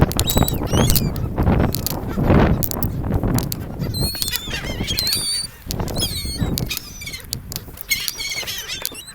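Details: Gulls on a sandy ocean beach by a gulf, interacting with people, giving many short thin, rising squealing calls in clusters over steady roaring wind and surf.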